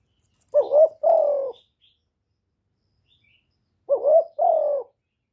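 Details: Kept decoy spotted dove, recorded cleanly to stimulate other doves into calling; two-note coos, a quick rising note then a longer descending one, heard twice roughly three seconds apart in otherwise silent surroundings.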